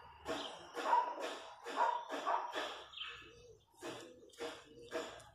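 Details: Wild chachalacas (guacharacas) in the countryside: harsh, raspy bursts delivered in a rhythmic series with short gaps, heard from some distance.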